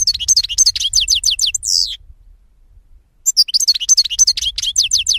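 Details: Two dense phrases of rapid, liquid twittering with repeated downslurred chirps and a drawn-out buzzy note, sung by a European goldfinch over a faint low hum.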